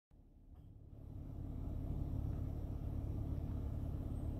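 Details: A steady, low engine rumble from a passing car or truck builds up after a brief silent start and dominates throughout, with no animal voice heard.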